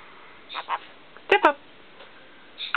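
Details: Male black-capped caique kept as a pet, practising his learned phrase "step up": a few soft nasal notes, then two loud, harsh, buzzy syllables in quick succession, with a brief raspy note at the end; indoors, otherwise quiet.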